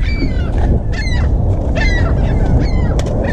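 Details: Young ring-billed gulls being gathered for rescue after leaping from a hot rooftop call in short, falling, harmonic notes every half second or so, with a steady low rumble beneath.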